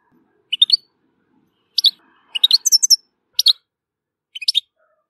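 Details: European goldfinch from Tissemsilt giving short, high twittering bursts, each a quick cluster of sharp chirps, repeated about every second with brief silent gaps between, one slightly longer tinkling run in the middle; otherwise quiet.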